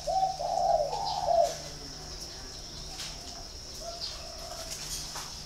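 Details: Spotted dove from a dove-keeping farm in Ba Vì, Hanoi, Vietnam. It gives one loud, mellow cooing phrase of several rounded notes in the first second and a half, then only faint coos over a steady background hiss.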